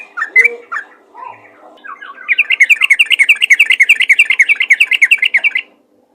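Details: Calling to other bulbuls, a sooty-headed bulbul gives a few separate slurred notes, then a long, even chatter of rapid bubbly chirps, roughly five per second, that stops abruptly. There is no other sound.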